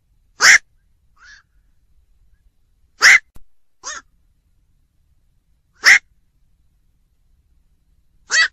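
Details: Repeated hoarse, barking squawks from a black-crowned night heron, five loud calls at irregular gaps of one to three seconds, with softer short notes in between; quiet surroundings.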